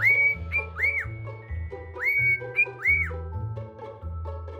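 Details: Neil, a loud, mischievous male pet cockatiel kept out of his cage most of the day, whistles the familiar "Septembirb" cockatiel tune in clear, bright phrases that swoop up and down, repeating about every two seconds over low background music.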